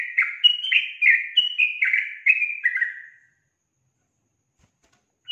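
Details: Female yellow-vented bulbul calling to get males to answer, with a bubbly burst of about ten rapid, falling, slurred notes over three seconds. Silence follows, then one new note begins.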